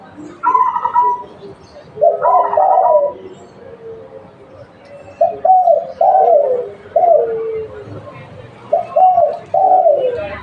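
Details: Local spotted dove serving as a lure, giving a run of soft, hollow coos: paired and single slurred notes dipping at the end, spaced irregularly across about ten seconds, with faint chatter behind.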